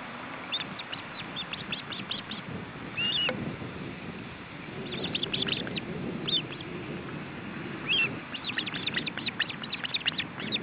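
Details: Osprey male and chicks at a nest in Estonia, July 2012, during feeding: almost continuous runs of rapid, high chirping notes with occasional longer slurred whistles, over low wind noise.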